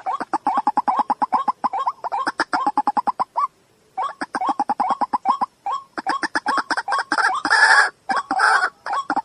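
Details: Dense, rapid series of throaty notes from a white-breasted waterhen, or dahuk. The notes pulse steadily, with a short break, then grow louder and harsher with rough, broadband croaks near the end.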